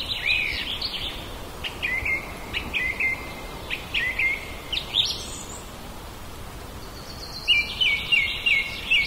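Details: Back-yard common blackbird recorded on a Zoom H2n portable recorder, giving bursts of sharp, downslurred notes in quick series, a brief high squeak midway, and a final run of four bright repeated notes, with steady low outdoor hiss.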